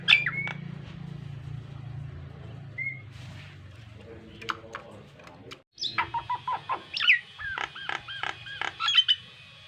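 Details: Nias hill myna, a male in full chatty song, used as a model for training pet mynas: a low steady hum and scattered faint notes at first, then a run of sharp, varied whistled and clicking notes repeated in quick bursts.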